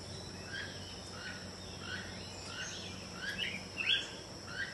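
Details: Keel-billed Toucan, Belize's national bird, heard in the background on a tropical jungle farm in Belize, giving faint, creaky croaking notes repeated about every half second over a steady high insect drone.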